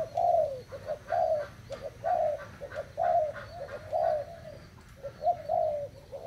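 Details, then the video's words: Thai-type spotted dove, recorded 25 August 2018, repeating mellow, low coo phrases roughly once a second. Each phrase is a few rounded notes with a short pause between, over a light background hiss. "cu gáy thailand"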